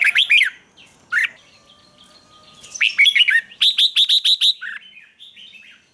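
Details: Red-whiskered bulbul in 'ché' style morning song for training: two short opening notes, a pause, then a loud burst of rapid warbled syllables running into seven evenly spaced bright whistles.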